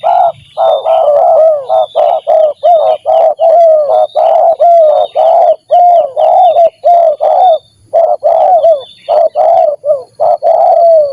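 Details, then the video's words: Spotted dove used as a decoy for luring birds, giving the stuttering 'gagap' style of call on meeting another gagap dove: rapid, broken, repeated mellow coos, loud and close, running on without pause. "Ketika Terkukur Gagap jumpa dengan Gagap"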